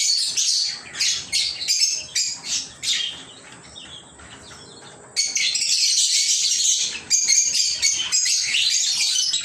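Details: Lovebirds in a small home aviary: choppy bursts of sharp, high chirps, then about two seconds of near quiet, then the flock bursts back into continuous shrill, overlapping chatter.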